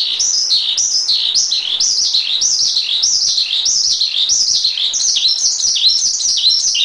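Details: Javan pied starling tutor song: loud, clear whistled notes, each sweeping sharply downward, repeated in quick succession about every half second, mixed with some buzzy chatter.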